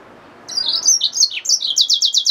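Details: A hybrid finch, the yellow-fronted canary mule, sings a short burst of high chirping slurs, then a rapid regular series of descending notes. The background is quiet.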